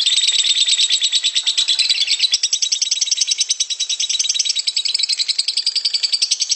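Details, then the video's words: Lovebird giving a long ngekek trill, used as a master recording to teach other lovebirds to trill quickly; a continuous, rapid, high-pitched chattering run of many tightly packed notes with a strong harmonic band, sustained throughout without a break. "Lovebird ngekek panjang keren buat masteran biar cepet ngekek"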